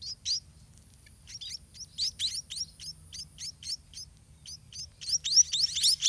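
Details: White-rumped munia chicks in a nest in a garden, begging while parents feed them, give a fast string of thin, high chirps, about two a second, swelling louder and more crowded toward the end.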